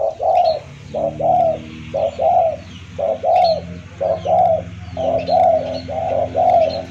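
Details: Spotted dove call used as a lure for trapping birds: low, hollow coos in a steady rhythm of about one per second, over a constant low hum.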